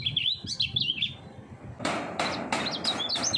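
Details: Three-year-old common iora trained for song competitions giving a brief run of high looping whistles, followed by loud sharp clattering bursts mixed with a few more quick whistled notes.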